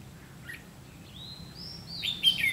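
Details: Red-whiskered bulbul recorded during trapping with a decoy bird on 30 May 2016: faint notes, then a long rising whistle near the end that breaks into bright, sliding chirps. Low background rumble throughout.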